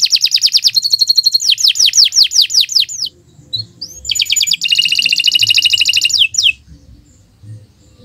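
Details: Canary singing a model song for other birds: quick descending whistled notes, a pause with faint sounds, then a dense buzzy trill ending in a sweep.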